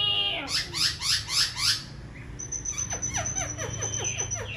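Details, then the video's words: A tame caged silver-eared laughingthrush, dancing with its wings and fanned tail, sings loud, rapid down-slurred notes, about five in two seconds, then a softer run of quick slurs over a thin high whistle. "Khướu bạc má vip múa cánh đuôi xòe, chim thuần sách lồng hót, hót cả ngày"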